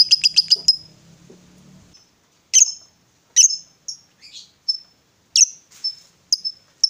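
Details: Female fighter lovebird giving a quick burst of high chirps, then scattered single sharp metallic notes with silent gaps between them.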